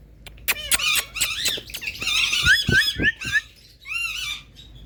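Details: Rose-ringed parakeet, a talking ringneck parrot kept as a pet, giving a rapid run of squeaky, harmonic, speech-like chatter with bending whistled notes, then a pause and a final short rising-falling phrase.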